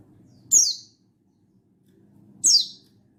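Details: Mountain white-eye, recorded 16/8/22, calling wild-style to summon a rival: two thin, high chirps two seconds apart, each sliding sharply downward, over a faint low hum.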